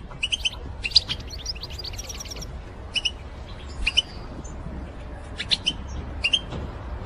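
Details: Goldfinch lure calls known as batbata, used to attract birds for trapping: short bright paired chirps repeated at irregular intervals, with several quick high notes clustered near the start, over a steady low rumble.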